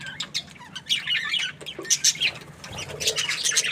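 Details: Budgie happily chirping: a few sharp high notes, then quick bursts of scratchy twittering chatter and short squeaks with small pauses between.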